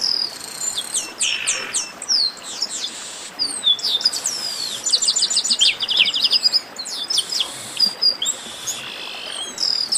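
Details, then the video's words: Loud commotion of chestnut-capped blackbirds: many overlapping high whistles, rising and falling slurs, and fast chattering runs of clipped notes, nearly continuous throughout with brief buzzy bursts. "Baderna de Garibaldi"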